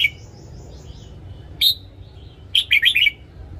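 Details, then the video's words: Red-whiskered bulbul morning song, used for training caged birds: one high whistled note, then a quick bubbly phrase of four or five sharp chirping notes near the end, over a faint low hum. "Luyện giọng chào mào hót sáng DÙNG ÉP BỔI / ép má trắng"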